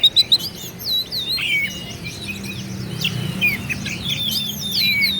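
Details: Provocative singing of an Oriental magpie-robin aimed at rival kacer: a few sharp clicks open, then sweet slurred whistles and upward-swooping notes at a relaxed pace, with faint low humming underneath.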